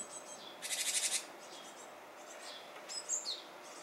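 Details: Japanese tit around fledging time, seeming to hesitate: one loud burst of quickly pulsed, harsh buzzy notes lasting about half a second, followed later by a few thin high whistled chirps, over constant background hiss.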